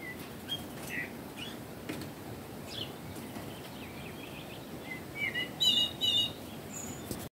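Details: A tame, hand-reared young Sumatran laughingthrush (Garrulax bicolor), about one month old, gives scattered soft chirps while being cuddled, then a brief burst of high, chattering notes and a thin whistle over steady hiss.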